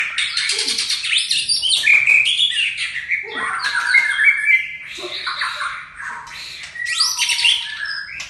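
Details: White-rumped shama of the Aceh type sings a rich, loud, varied song: bright whistled phrases sliding up and down, quick chattering trills and a few low fluting notes, phrases following closely with brief pauses, over a faint low hum.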